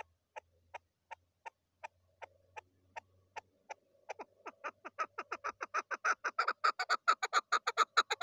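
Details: Female chukar partridge calling: spaced, clipped notes about every third of a second that speed up and grow louder into a rapid, dense run of harsh chucking notes; faint low hum early on.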